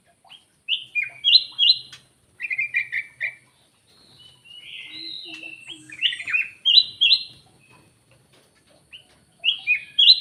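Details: Lively whistled phrases from a black-naped oriole in quick pairs and triplets, with a soft gurgling warble in the middle of the lure call.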